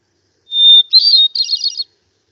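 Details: Hermit Thrush, a winter visitor to Santa Barbara, sings one phrase: a long, pure, steady whistle, then a quick flutey tumble of higher, shimmering notes, all lasting under two seconds.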